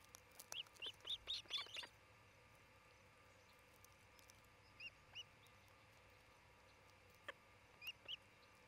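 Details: Osprey from a nesting pair on a Charlo, Montana nest cam, late June 2018, midday: a rapid burst of high, sharp whistled chirps for over a second, then scattered pairs of chirps after pauses, over constant low hiss.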